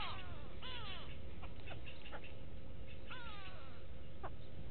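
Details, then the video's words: Go-away birds calling at a Djuma Game Reserve waterhole, South Africa, 6 June 2018: two descending, bleat-like nasal calls several seconds apart, separated by short clicks and ticks, over a constant hum. "Go-away birds with audio"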